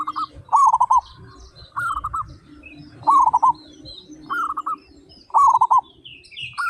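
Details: Loud-voiced local zebra doves, 35 of them, singing. Repeated bubbling coo phrases of quick pulsed notes, roughly one each second, over a steady low hum with scattered high chirps.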